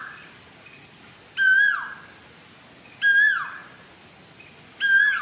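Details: Cuckoo singing in Sri Lanka in June 2024: a loud, harsh whistled note that holds steady, then slides downward, given three times about every one and a half to two seconds over quiet background.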